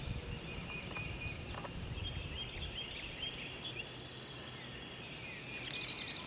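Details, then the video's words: A parula gives a single buzzy trill that climbs steadily in pitch over about a second, over steady low rumble and scattered thin notes from other birds. "Parula Song"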